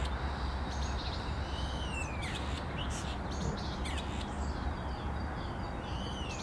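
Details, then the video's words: Common starling imitating a grey partridge on 10 April 2021. Arched whistles slide downward between rough, buzzy bursts, and a final curved whistle closes the phrase over a steady low rumble. "Szpak imituje głos kuropatwę."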